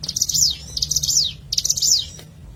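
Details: Hill prinia (ciblek gunung) recorded as natural sound for use as a lure: high, buzzy, rattling phrases that sweep downward, three bursts in quick succession with a faint low hum beneath.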